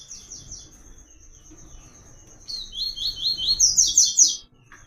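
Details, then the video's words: White-collared seedeater song in the "Tui Tui" style used for song training: a steady high trill of rapid notes, then a louder run of slurred, repeated high notes that rise in pitch, with faint low background rumble. "PAPA CAPIM CANTANDO MUITO"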